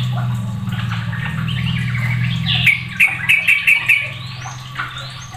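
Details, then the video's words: Sooty-headed bulbul calls as other bulbuls join the noise. A low steady hum fills the first half, then a series of five or six short, sharp rattled notes follows in quick succession. "Belum Satu Menit Suadah Bikin Trucuk Lain Pada Ikut Ribut"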